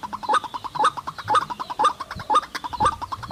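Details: White-breasted waterhen heard at a forest trapping spot, giving a steady, regular run of mid-pitched hollow notes, about two per second, each group ending in a slightly higher inflected note.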